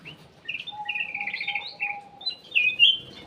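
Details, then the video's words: Cucak emas (kutilang emas), a ruby-throated bulbul, singing for a lure: a fast run of bubbly rolling whistles, then a bright, ringing upslurred phrase, over a faint continuous hum-like tone. "PANCINGAN CUCAK EMAS \ KUTILANG EMAS"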